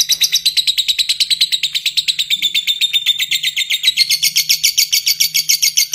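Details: Lovebird, kept as a cage bird, giving a long ngekek song: a fast, unbroken chattering trill of rapid harsh notes, about five per second, held for the whole stretch and rising slightly in pitch toward the end.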